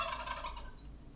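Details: Turkey gobbling: a rapid, throaty rattle of pulsed notes lasting just under a second, then fading, over a steady low hum.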